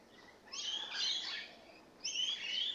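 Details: Rainbow lorikeets newly moved in, giving two long, grating shrieks, the first drawn out for about a second and a half.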